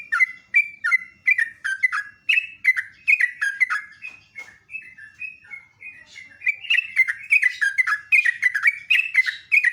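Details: Sooty-headed bulbul singing loudly in the morning: bright whistled phrases around mid pitch, each dipping and rising, repeated rapidly in near-continuous chatter with several overlapping voices, a short quieter stretch midway.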